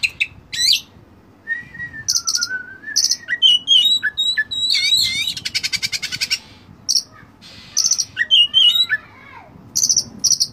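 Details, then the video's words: Dense Oriental magpie-robin tutor song packed with imitated phrases: looping warbles, long wavering whistles, fast buzzy trills, and repeated sharp chattering rattles running almost continuously. "masteran Kacer full isian mewah"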